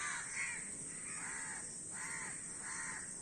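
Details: Many crows calling together, harsh nasal caws about every 0.8 seconds, four strong calls in a row with a steady high hiss behind them.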